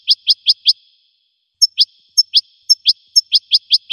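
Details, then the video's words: Goldfinch song: bright, high twittering notes in quick runs of four or five, a brief pause, then faster tinkling phrases, against a quiet background. "the melody of the goldfinch's song"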